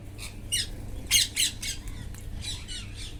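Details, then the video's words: Wild parrots squawk while eating, a string of harsh, broadband screeches about four a second, loudest around the middle, with softer chatter between them and a low background hum. "wild parrots // eating talking // natural sound"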